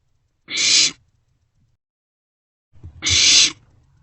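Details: Young barn owls in a nest box around 2 am in late March, passing a meal between them; two loud rasping hisses about two and a half seconds apart, with soft shuffling before the second.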